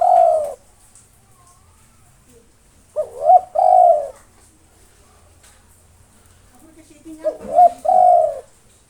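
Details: Spotted dove, a local bird singing without tiring to provoke rivals, repeats a coo phrase of short rising notes and a long steady coo, three times roughly four seconds apart, in quiet surroundings.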